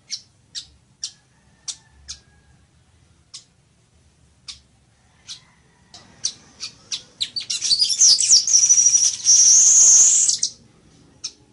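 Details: Village weaver song: a run of sharp, dry clicking notes roughly every half second, quickening and then breaking into a long, wheezy, sizzling buzz of about three seconds before one last click.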